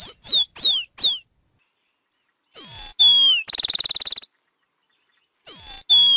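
Rufous-collared sparrow song: high, clear slurred whistles dropping in pitch, then a short dry rapid trill, repeated in phrases every few seconds against silence.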